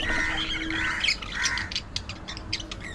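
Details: Budgerigar chatter: harmonic warbling notes at first, giving way to a rapid, irregular string of short sharp clicks and chirps, over a steady low hum.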